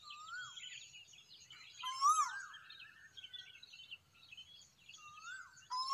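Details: Morning cuckoo at sunrise giving a few rising, slurred whistles spaced a couple of seconds apart, over a busy background of twittering small birds.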